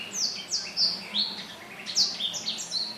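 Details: Black-throated laughingthrush singing energetically, 15 December 2016; loud clear whistles slide sharply down from high pitch, delivered in rapid bursts roughly every half second.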